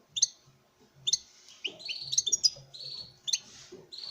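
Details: European goldfinch male singing to a female as part of breeding: crisp chip notes that lead into a liquid, buzzy twitter, with faint low tapping underneath.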